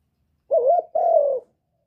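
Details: Spotted dove giving a call meant to stimulate other birds: a single low two-part coo, a wavering first note followed after a short break by a longer, slightly falling note. Quiet background.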